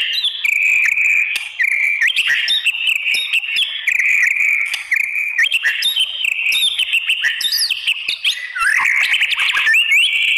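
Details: White-rumped shama pouring out a continuous challenging song to stir other shamas into responding: rapid chattering trills, steady whistled stretches and quick chips, closing with sweeping upward whistles.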